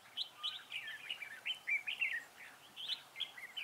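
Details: Red-whiskered bulbul, recorded while being trapped at Vườn Táo on 19 December 2016, sings a continuous run of cheerful, warbling whistled notes, each slurring up and down, in quick succession.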